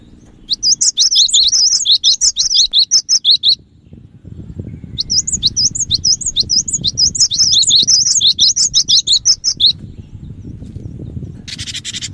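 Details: Cinereous tit (gelatik batu) singing briskly, used to lure other birds: two long series of quick, high, repeated whistled phrases, nearly three per second, with a low background rumble and a short buzzy rasp at the end.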